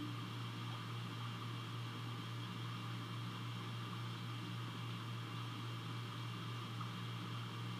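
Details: Constant low electrical hum with a fan-like hiss continues throughout, and no animal is heard.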